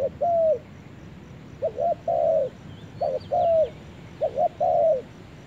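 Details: Low, mellow coos from a spotted dove in a forest: three phrases, each a short broken double note then a longer, smooth coo that drops at the end, separated by pauses; light chirping of other birds faintly heard.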